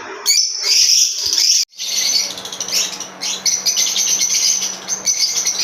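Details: Pair of green Fischer's lovebirds, a type known for long songs: dense, shrill, rapidly repeated chirps and chattering run on almost without pause, broken by one brief gap.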